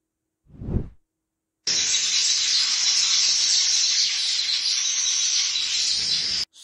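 Weavers chatter in a dense, continuous, high-pitched sizzling wash of overlapping calls, like a busy colony, after a single low thump at the start.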